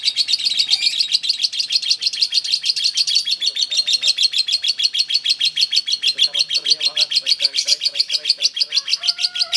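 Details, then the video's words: Lovebird ngekek panjang in a singing match: shrill, fast, highly regular chips, about three a second, sustained throughout, with faint lower squeaks appearing toward the end. "Kicauan Pertarungan Love Bird Ngekek Panjang."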